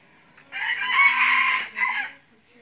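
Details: Decoy red junglefowl used in hunting gives one full crow: a long, harsh, strained phrase ending in a short clipped final note, with little else audible.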